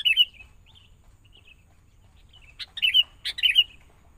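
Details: A young sooty-headed bulbul taken from the wild and kept caged for training alongside a lure bird. It opens with a warbled phrase, falls mostly quiet, then ends with clicks and two quick liquid phrases.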